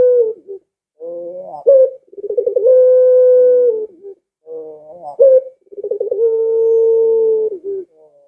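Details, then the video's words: Calling Barbary dove, used to draw pet doves into calling too; two full phrases, each a soft murmuring coo, an abrupt upward flick, a fast rolling stutter, then a sustained steady hoot lasting over a second. "Suara Burung Puter Ini Memikat Puter Anda Dirumah Sehingga Ikut Bunyi"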